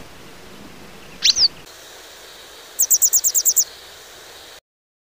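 Western yellow wagtail: a single thin, high slurred note, then a quick run of about eight high, sharp chips, over faint background hiss.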